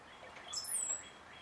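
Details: A male cowbird puffs his chest at his own reflection; faint low gurgled notes lead into a thin, very high whistle that slides slightly downward, over quiet background hiss.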